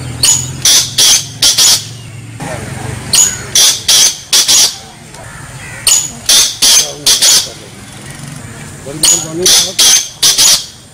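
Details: Black francolin (Francolinus francolinus), call.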